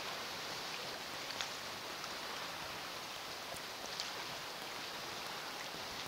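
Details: Steady hiss like rain or running water fills the night around an osprey nest on the Chesapeake, with a few faint ticks and no animal calls.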